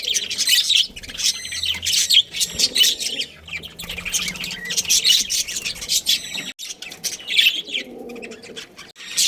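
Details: Budgerigar breeding pair: clustered buzzy squawks and quick ticking chirps in irregular bursts about every couple of seconds, with quieter stretches between them.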